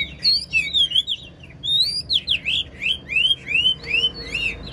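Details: An old wild-caught Chinese hwamei in a cage, praised as a superb singer, pouring out clear looping whistles, each slurred note rising then dropping, repeated in quick succession.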